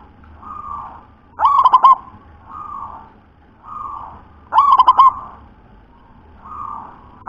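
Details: Local zebra dove with a very thick, deep voice: two full rolling coo phrases about three seconds apart, the start of a third at the end, with soft short hums between.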